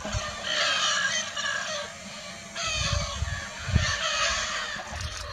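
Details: Wild Lear's macaws flying free in Brazil give two long bouts of coarse, grating calls with a quieter gap between. Low-pitched rumbling accompanies the calls.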